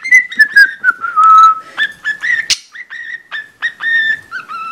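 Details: A pet budgerigar poorly copies a cockatiel's whistled Mickey Mouse March: wobbly, sliding whistled notes around mid pitch, broken by short chirps and clicks.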